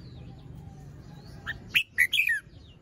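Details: Red-whiskered bulbul, a young bird with an unfinished moult and a small crest, singing in the morning: faint notes first, then a lively, chirpy whistled phrase of four notes falling at the end.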